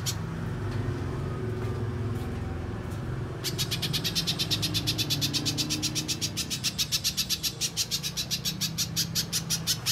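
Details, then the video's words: Energetic little spiderhunter song, played to lure spiderhunters into calling and to tutor contest songbirds. After three quiet seconds a steady run of fast, sharp, high-pitched notes begins and continues without a break to the end, over a low rumble. "Pijantung Pisang Gacor"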